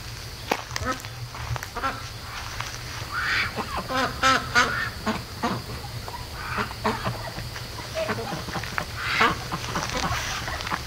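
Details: Ducks kept and raised at home, day 73, calling in the middle of the night at 3:00 AM; scattered raspy quacks, some drawn out, mixed over a low continuous hum.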